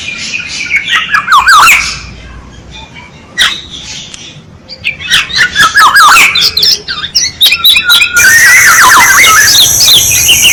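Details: Black-naped oriole used as a decoy call, giving loud bursts of fluty, warbled whistles mixed with harsh squawky notes, in several phrases separated by short pauses, with insect buzzing late on.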